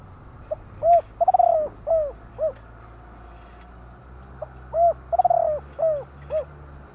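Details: Spotted dove repeating its cooing phrase twice, each a short pip, a hollow coo, a vibrating rolled coo, a falling coo and a brief end note, separated by about two seconds of quiet hum.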